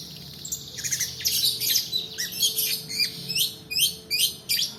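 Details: Long-tailed shrike singing in a long 'roll' style, meant as a lure for lazy singers and as tutoring material: hoarse high notes building into regular downslurred chips roughly twice a second.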